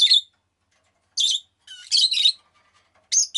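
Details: Rosy-faced lovebird, a pet, giving loud harsh chirps mixed with a brief twittering, chattering phrase, separated by short quiet gaps.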